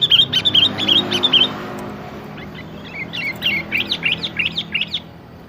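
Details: Sooty-headed bulbul song used as a lure to draw a rarely singing bird into answering: a quick run of bright, chirpy whistled notes, then a softer second burst of rapid rising and falling chirps, with low background hum.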